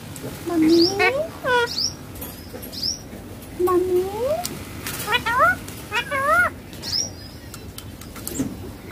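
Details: Rose-ringed parakeet, called ringneck green parrot, talking while playing on a mobile phone: many varied speech-like syllables, rising glides and short wavering notes in irregular bursts, some higher squeaks, over steady room hum.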